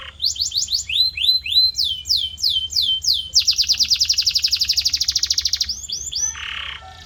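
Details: Training audio of canary song for shaping a caged bird's voice: falling slurred whistles in groups, a long fast rattling trill, then a few swept notes and a lower nasal buzz.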